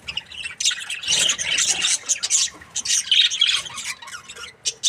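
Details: Happy breeding pair of Australian budgerigars chattering: dense, scratchy high chirps and squawks tumbling almost without pause, with a few brief gaps between bursts.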